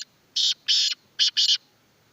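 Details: Black francolin (kala tetar) calling in a loud, harsh, grating series of about five buzzy notes in quick uneven pairs, over faint low background noise.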